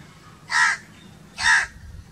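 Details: Pair of raspy crow caws about one second apart, each short and buzzy.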